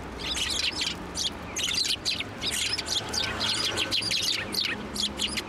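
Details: Sparrows perching on a person's hand to take food at a Tenmangu shrine on 1 January 2024, giving a dense stream of short, bright chirps that overlap in quick bursts throughout.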